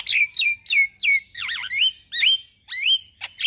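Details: Caged-bird training master of a Javan myna singing in the morning: loud downslurred squealing whistles repeated about twice a second, with a wavering warble and upswept notes.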